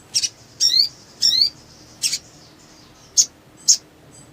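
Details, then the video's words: Black sunbird (sogon), lively with wing-fluttering, lure recording for quiet birds; a double high tick, two rich twisting chirps, then separate sharp piercing ticks spaced about half a second apart. "SOGON GACOR FULL EMOSI NGLEPER ! PANCINGAN MACET BUNYI"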